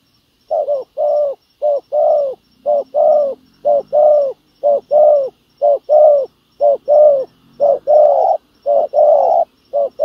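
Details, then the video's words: Decoy spotted dove luring wild doves, cooing in a regular run of soft, low paired notes, a clipped note then a longer rounder one, repeated about once a second over a quiet background. "bẩy cu gáy mồi đất hay..gặp bổi đồng gù khá tốt nước ngoài kèm bài rất hay"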